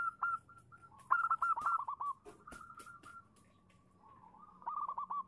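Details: Female zebra dove calling to lure a male into answering: bubbly rolling coos in short phrases, a louder trill early on, with scattered clicks and knocks in the background.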